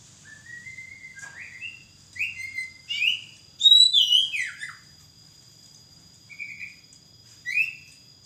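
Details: Oriental magpie-robin in full song, a series of clear rising and slurred whistles, with a louder burst of descending, varied notes in the middle and scattered short phrases after, over a faint steady high hum.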